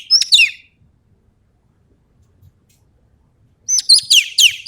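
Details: Ekek keling from Sumatra singing gacor: a short series of quick falling whistles, a silence of about three seconds, then another rapid run of descending whistled notes.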